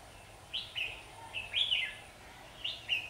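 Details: Red-whiskered bulbuls at a trap on 27 September 2019, fighting until they fell to the ground; three short, bright warbled phrases, each a quick rising-then-falling slur, spaced about a second apart over a faint low background hum.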